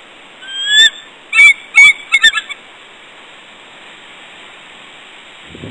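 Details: Female bald eagle on a rock at West End at 6:41 a.m. on 29 January 2014, trumpeting to call her mate for pair bonding: a fast series of sharp, high, chittering notes in four bursts, then quiet.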